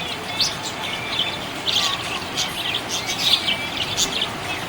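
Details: Happy budgerigar chirping: a steady stream of short, bright chirps and warbled notes, some buzzy, clustered in quick bursts over a constant faint hiss.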